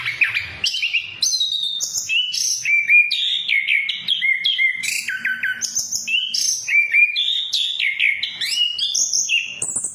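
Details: Orange-headed thrush, ngeplong and ngeriwik lure song for silent thrushes: continuous melodic whistling with clear stepped notes, short trills and rising and falling slurs, loud and close throughout.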